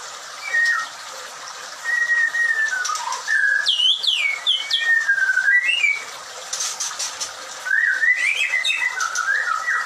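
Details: White-rumped shama at a breeding farm: loud, rich song of fluting whistles, looping sharp upsweeps and downslurs, and bubbly rising phrases, delivered in several distinct bursts.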